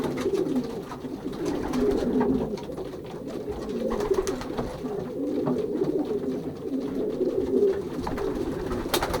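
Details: Young racing pigeons pairing inside their loft, 2023 season, Pruszków branch, Poland; a dense bed of deep overlapping coos rises and falls gently, with scattered sharp taps.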